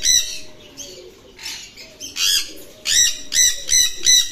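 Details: Large Pakistani-type Alexandrine parakeet (Psittacula eupatria), a talking bird, in Dhaka, Bangladesh, gives harsh, raspy screeches in short bursts growing louder and quicker, about two or three a second, over a faint steady hum.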